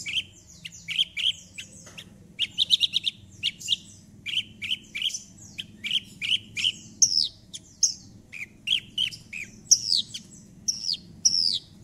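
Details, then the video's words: Horsfield's (Javan) bush lark lure song meant to get silent larks to answer and sing along: a lively run of sharp chirps and high buzzy notes in quick bursts about every second, over a faint low hum. "Pancingan Branjangan Gacor Ini || BRANJANGAN MACET IKUT BUNYI"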